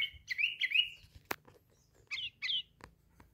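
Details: Tame yellow-vented bulbul singing while out of its cage. Bubbly warbled notes run together, then a sharp click, then two short chirpy phrases with quiet gaps between them.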